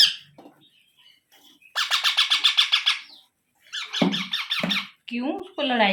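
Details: Baby parrot, an Indian pet bird, calling indoors with a long train of fast rasping pulses, then broken harsh squawks and lower nasal, wavering cries at the end.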